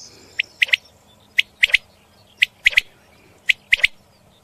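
A common quail repeats a sharp three-note call, one note then a quick pair, about once a second, in an otherwise quiet background.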